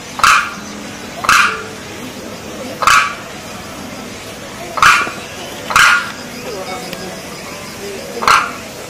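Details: Demoiselle crane (Grus virgo) giving six short, raspy, croaking calls at uneven intervals of one to two and a half seconds over a quiet background hiss.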